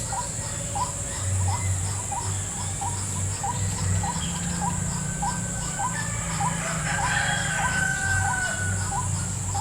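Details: White-breasted waterhen in a salak palm plantation, drawn in during lure trapping: low hooked two-part notes repeated about twice a second throughout, with a steady high insect drone and a low rumble beneath.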